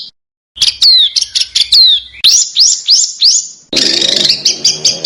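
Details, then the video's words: Small cage bird on an Indonesian master track used to teach contest birds other birds' songs: quick downslurred whistles and sharp ticks, then a run of rising upslurred notes, ending in a dense burst of harsh chattering. "Suara BURUNG KECIL !!! MASTERAN BURUNG KECIL TEMBAKAN TAJAM DAN SUPER PEDAS"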